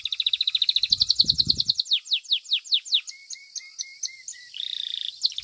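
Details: Belgian canary, a domestic bird in a singing competition, delivering a fast trill of high notes, then a series of downslurred whistles, a short row of lower clipped notes and a closing buzzy rattle.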